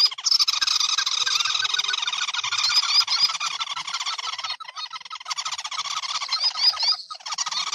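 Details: Red-eyed crake called sintar api for its fire-red head, neck and breast; edited lure audio of unbroken rapid chattering with repeated upslurred squeaks, pausing briefly twice.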